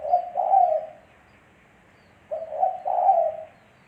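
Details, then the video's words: Two deep, soft cooing phrases from a spotted dove. Each has a short opening hoot and a longer, rounded coo, separated by a quiet pause of over a second. "Suara Burung Tekukur Bersih"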